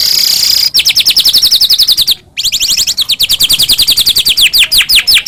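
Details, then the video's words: White-rumped shama singing as a lure for captive birds: a long rapid trill of high downslurred notes, about three per second, broken by one short pause. "murai batu gacor AMPUH buat PANCINGAN murai batu agar bunyi"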